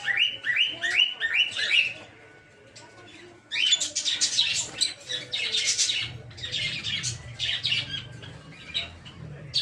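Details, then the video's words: Peach-faced lovebirds of several colour mutations in a breeding aviary: a run of rising chirps gives way to loud, harsh, overlapping chatter from the flock that continues to the end. "Peach-Faced Lovebird's Sounds"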